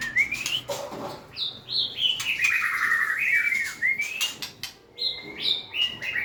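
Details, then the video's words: White-rumped shama, singing as it dances and wags its tail: a quick series of clear, rising whistled notes stepping upward, then a richer warble and more upslurred whistles. "Big Sound Birds Singing Chirping, Dancing And Beautiful Tails Wagging - Birds White-rumped shama"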